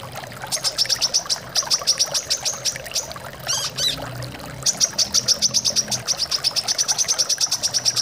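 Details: Brown-throated sunbird giving rapid bursts of thin, high chirps in quick runs, with a brief squeaky twitter mid-way, all over constant flowing water; played to encourage birds to sing.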